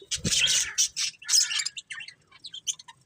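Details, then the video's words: A budgerigar lets out a loud burst of scratchy warbling chirps, then a string of softer short high tweets trailing off, with a brief low thump near the start. "Beautiful Budgies Chirping Sounds"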